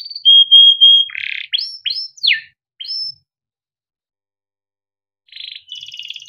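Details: Canary male song used as a training tutor for young canaries: a long steady whistle, then rapid upward-sweeping chirps and a buzzy trill, followed by a pause and a brief rattling phrase.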